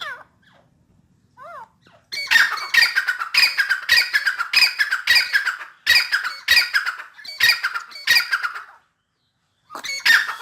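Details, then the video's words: Grey francolin, known locally as dakhni teetar, calling in full spirits: loud harsh grating bursts repeated in a rapid run for about seven seconds, each burst rich in rasping overtones, after a few faint thin notes and a short pause. "teetar/tetar ki awaz dakhni teetar /gray francolin full masti mein"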